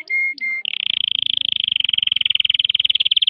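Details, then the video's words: Canary singing, January 18: two short, steady whistled notes, then a long, rapid, even trill of high repeated notes that grows slightly louder. Canary. "canary singing. canario cantando"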